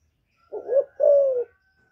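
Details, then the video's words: Single phrase from a female spotted dove calling to stimulate males: a short rising low note followed by a longer, level then falling hoot, with a faint steady hum behind. "Tiếng Chim Cu MÁI GÁY kích trống mới nuôi hiệu quả,cu gáy mái hạp bổi,Cu đất mái gáy gọi kích cu nhà"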